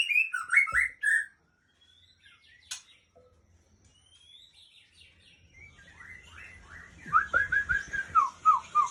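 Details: White-rumped shama, an adult female, singing a varied song: rapid whistled notes and trills in bursts, a long quiet gap in the middle, then a fast run of repeated slurred whistles at the end.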